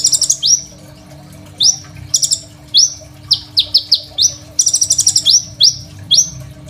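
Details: Crimson sunbird, recorded with an Oppo A37f for training songbirds, opens with a buzzy rattle, then gives piercing downslurred chirps, some doubled, mixed with further rapid buzzing trills; faint low hum behind.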